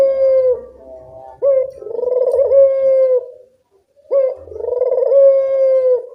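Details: Barbary dove calling freely, used as a tutor sound for lazy doves: a fading coo, then two long, steady cooing phrases with quick rising starts, separated by a brief silence.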